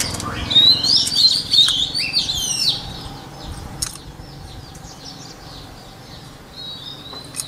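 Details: White-rumped shama song for voice training: a bright, fast tumble of high whistles for the first few seconds, then quieter scattered notes and a final thin whistle, with occasional clicks.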